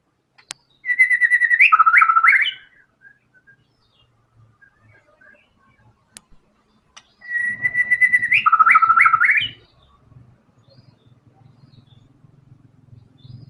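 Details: Energetic white-rumped shama song showing its varied material; two matching bursts, each a pulsed level whistle breaking into rapid lower looping trills, over a soft low rumble.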